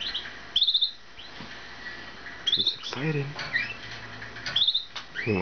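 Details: A young five-month-old pet male canary, excited on hearing a played recording of female canaries singing, gives three short bursts of bright, rapid, high trills about two seconds apart while a person talks softly in between.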